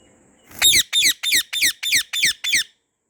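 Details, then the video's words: In a garden, a white ringneck parrot lets out seven loud grating screeches in quick succession, each a rough descending squawk about three per second. "White Ringneck Parrot Natural Sounds | Parrot Natural Calls"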